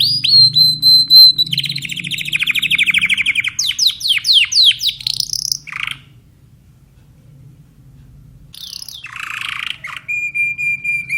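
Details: Timbrado canary: a steady whistled note, a fast rolling trill, a string of sharp descending sweeps, a pause, then a harsh burst and a level whistled tone; soft low hum in the background.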